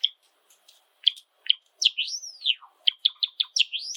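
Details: Java sparrow singing indoors among seven pet birds: scattered sharp clicks lead into a long clear whistle sweeping up and down, followed by a brisk run of evenly spaced clicks ending on a rising whistle.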